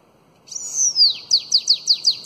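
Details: Bananaquit singing the long Belgian-style song used to tutor young bananaquits: a high, thin whistle sliding downward, then a rapid run of six sharp downslurred notes.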